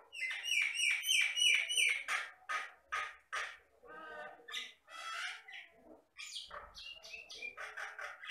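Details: Jalak Batam myna from the Riau Islands, Indonesia, a bird able to copy any sound including human voices, pouring out rapid harsh squawky notes about three a second, then grating rattles and scratchy chatter.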